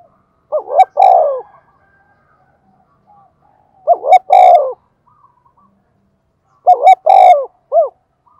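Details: Decoy spotted dove stimulated to call fast. Loud hoarse phrases about three seconds apart: clipped double notes, a long falling coo, and once a short trailing coo. Sharp clicks accompany each phrase.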